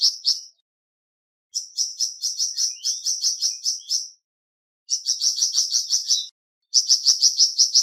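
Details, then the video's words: Song of the flamboyan bird: bursts of quick, piercing chirps strung into rattling runs of one to two and a half seconds, separated by silent pauses. "Terapi Cepat Bikin Burung Flamboyan Buka Paruh dan Gacor"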